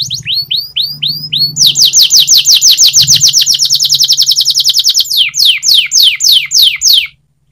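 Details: Canary training song opening with upward-curving whistles, then a fast loud trill of descending notes and slower spaced swoops, with a low hum underneath.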